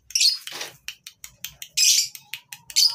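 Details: Lovebirds at a breeding farm, for tutoring lovebirds that no longer sing: piercing squeaks, short harsh rasps and a rough descending buzz, separated by quick clicks.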